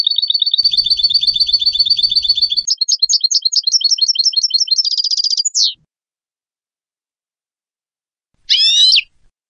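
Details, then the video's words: European goldfinch singing a fast, continuous twittering song of buzzy, liquid notes, breaking into rapid trills and a dense buzzing run before stopping; after a pause, one short harsh burst follows. A faint low rumble sits under the opening seconds. "Meilleur chardonneret , goldfinch song"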